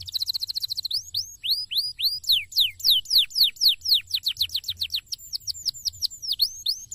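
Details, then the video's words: Canary in a cassava garden sings a fast, high song: an opening rapid trill, then a long run of clear whistled notes swooping downward, several times a second. "BURUNG KENARI NYAMAN DAN MAU BUNYI"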